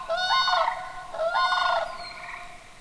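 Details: Whooping Cranes of the introduced flock at Necedah National Wildlife Refuge, Wisconsin, on a late-May evening, competing with Sandhill Cranes. Two extremely loud, bugling calls, each rich in harmonics and about half a second long, come one after the other.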